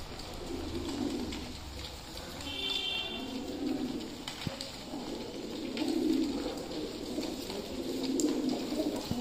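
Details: Fancy pigeons cooing during feeding time: deep, muffled, rolling coos repeated in short swells, with a brief higher whine near the third second and occasional sharp taps from movement.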